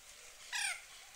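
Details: A feeding mallard on a UK lake gives a single short, nasal quack that drops slightly in pitch, against a soft background hiss.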